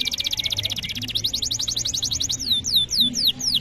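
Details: Canary tutor song, played to prompt young canaries and birds that have stopped singing: fast, high trilled phrases of rapidly repeated notes, shifting after a second into a quicker trill, then a slower series of sharp downward-sweeping whistles.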